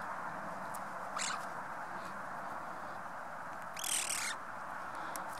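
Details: Playful, tame Eurasian magpie that stayed about 45 minutes near a person, landing on their shoulder or head, gives two short, harsh, rasping bursts a few seconds apart over a steady rush like wind or distant traffic.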